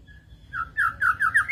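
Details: Shama joining in fiercely with another bird during playback of a lure recording; a faint whistle, then four loud slurred whistled notes, each rising slightly higher than the last.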